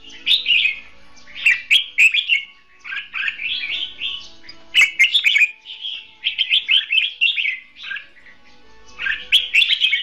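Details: Red-whiskered bulbul in a cage used as a decoy for trapping, singing competitively: a long series of short, rapid, chattering warbled phrases repeated with little pause across ten seconds, with occasional sharp clicks.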